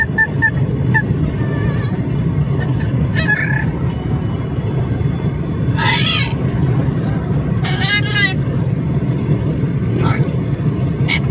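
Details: An Amazon parrot riding in a car chatters non-stop, giving short bursts of nasal, harmonic squawks and speech-like talk every second or two over a steady low road rumble.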